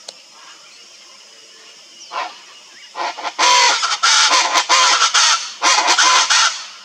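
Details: Wild, free Chaco chachalaca (aracuã-do-pantanal) singing in the Pantanal: quiet at first, then from the third second a loud, harsh, rhythmic chorus of raucous clattering notes, repeated rapidly in bursts.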